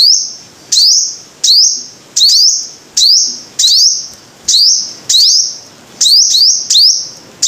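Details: Five-coloured sunbird repeating loud, shrill rising notes that flatten into a thin sustained whistle, about one phrase per second, sometimes paired, with nothing else clearly heard.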